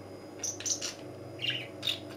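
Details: Cheerful tame pet budgerigar indoors giving a few short, high chirps in two brief bursts, with a quiet pause between them and a steady low room hum beneath.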